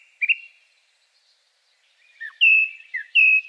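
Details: Very simple song of a second male song thrush with a few unusual sounds: a brief rising chirp, a pause, then a run of clear whistles alternating with lower slurred notes.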